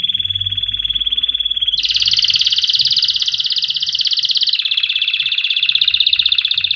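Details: Canary singing for training chicks: a short steady whistled tone, then a loud fast trill that drops step by step to lower rolling tours, all delivered in one unbroken run.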